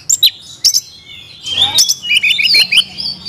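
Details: Isian song from a caged Oriental magpie-robin: scattered sharp high whistles separated by short gaps, then a longer slurred whistle and a rapid series of clear rising chirps.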